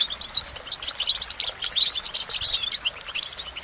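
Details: Goldfinch delivering quick, high, chattering twitters mixed with clear whistled notes and short trills, steady throughout.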